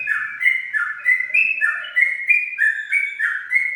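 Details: Sooty-headed bulbul singing a lively, repeated phrase of rich whistled notes that dip and rise, each short motif about half a second long, delivered continuously without pause.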